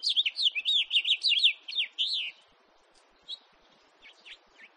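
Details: A house finch, recorded 2018, gives a fast run of bright, warbling chirps that rise and fall for about two seconds, then a few softer, scattered notes.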